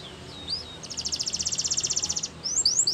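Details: Russian canary singing a training song, with short upslurred whistles, a rapid even trill lasting over a second, then quick high rising notes; steady background noise.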